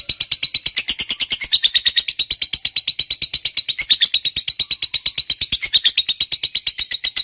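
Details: Lovebird of the fighter type delivering a long ngekek to prompt silent lovebirds to sing: an unbroken stream of sharp, high chattering notes at nearly three per second, varying slightly in pitch throughout.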